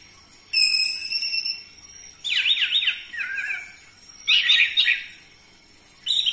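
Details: Orange-headed thrush song used as a lure to provoke captive birds to sing: a long, flat, high whistle, then loud bursts of jumbled, zigzagging warbled phrases separated by short pauses.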